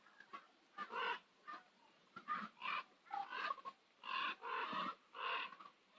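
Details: Dense run of harsh, grating raven croaks at sunset over Nose Hill, Calgary. The calls overlap in quick succession, some short and some stretched to half a second.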